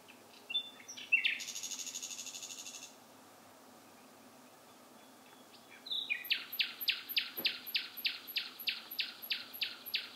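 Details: Night-singing bird: sharp notes and a buzzy trill, a three-second pause, then a long run of loud, repeated, down-slurred notes, about three per second.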